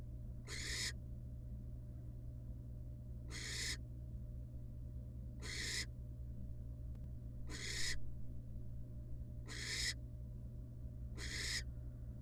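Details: Wild barn owl nest box where the mother rejoins her babies after regurgitating a pellet; six evenly spaced rasping hisses, one about every two seconds, with a steady electrical-sounding hum beneath.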